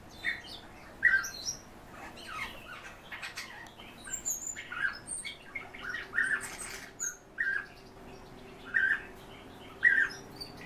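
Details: Home-bred European bee-eaters in captivity giving short rolling calls at irregular intervals, against frequent clicks, scratching and rustling, with a few high chirps.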